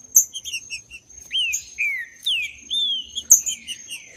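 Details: Free-living green-winged saltator, played to stimulate a caged male: crisp chirps give way to loud, rich whistles falling steeply in pitch, repeated every half second or so, with sharp high clicks between them.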